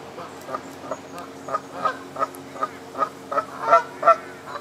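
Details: Moulting Canada geese on the South Pond in Midhurst, West Sussex, England, give a steady run of short nasal honks about four times a second, growing louder toward the end.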